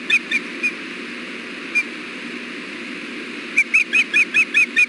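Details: Wild osprey at the Hellgate nest with eggs, nest camera, 6.4.16 near 4:00 pm, male bringing fish to female. A few isolated whistled chirps, then a quick run of bright, slightly upslurred notes at the end.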